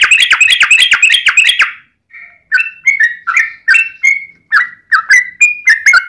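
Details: Yellow-vented bulbul lure song, long 'ropel' fighting style. It opens with a rapid chattering burst, pauses for a moment, then continues with slower bubbly, rising-and-falling whistled notes spaced about a third of a second apart.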